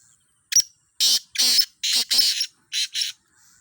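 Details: Black francolin in a calling contest among trial birds: a harsh, grating call of about six loud rasping bursts, evenly spaced over three seconds, with a short gap before the last two.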